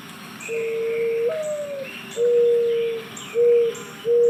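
Mourning Dove giving a soft, low, mournful coo: a long steady note with a slight rise, then several shorter hollow coos, against faint background hiss.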